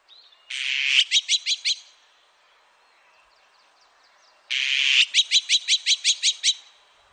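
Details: Azure-winged magpie, National Institute of Biological Resources recording from 2020: two bursts of harsh grating sound, each running into a quick string of clipped chattering notes, five then about seven, with faint calls between.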